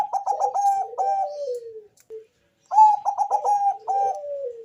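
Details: Bangkok-type zebra dove cooing, its deep, bass-heavy voice used to lure other doves into calling: two phrases of quick stuttering coos running into a long falling rolled note, separated by a short pause, in a quiet setting.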